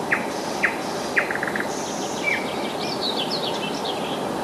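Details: Nightingale singing in July at Rassudovo, some forty kilometres from Moscow: three sharp, separate notes, then higher trilled and twittering phrases, half buried in constant loud background noise.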